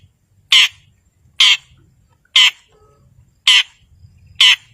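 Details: Long-tailed shrike used as a provoker for silent birds, giving five loud, grating, nasal rasps spaced about one second apart, with quiet between.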